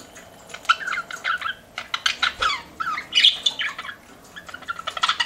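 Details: Pet budgerigars chirping in a string of short, clipped chirps and little squawks, spaced by brief pauses, over a soft background murmur.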